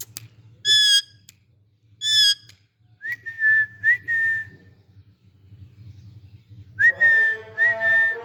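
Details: Juvenile Indian ringneck parakeets perch on a stick, making noise and playing with each other, joined by an Alexandrine parakeet. Two bright whistles, then a series of upward-flicking held whistles, ending in a longer, richer warbling call.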